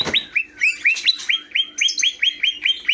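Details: A greater green leafbird repeats a clear rising whistled note about four times a second for three seconds, loud and steady, with some softer chirps behind.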